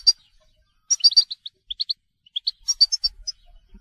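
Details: European goldfinch, called telqam, singing a scattered series of bright chirps and short twittering notes in separate bursts with brief pauses between phrases.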